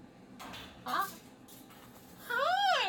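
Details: Pet cockatoo indoors on a Monday morning, unhappy that the weekend is over. After soft clatter, a loud arched, harmonic wail rises and falls near the end.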